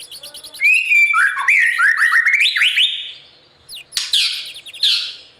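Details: Morning training song of a white-rumped shama for competitive singing: a long, rich, rising and falling whistled phrase with quick trills, followed by a few harsh, buzzy notes.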